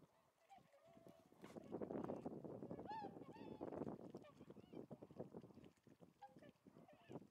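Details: Tundra swans on the western shore of Lake Biwa, Japan, 27 February 2020: several nasal, honking calls with bright overtones ring out among continuous overlapping flock chatter and murmuring, rising to a dense burst mid-clip and then tapering off.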